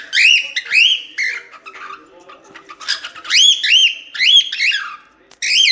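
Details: Cockatiel singing to teach chicks: loud, clear whistles that swoop upward, in pairs and short phrases, with brief pauses and a few buzzy notes between.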